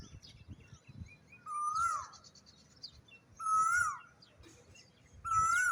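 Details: Asian koel singing in the morning while hidden in a tree's foliage, heard from a rooftop: three loud, clear whistled notes, each rising then levelling, spaced about two seconds apart, with soft low thumps between them.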